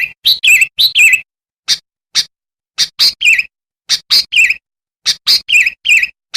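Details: Sooty-headed bulbul chattering to lure wild birds: bursts of sharp chirps followed by slurred, descending warbled notes, repeated in lively clusters with brief pauses.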